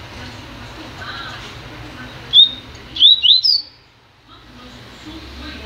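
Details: In its new cage, a double-collared seedeater gives a brief high whistle followed by a fast run of three or four sharp, slurred whistled notes, the last one highest, against a steady low background hum.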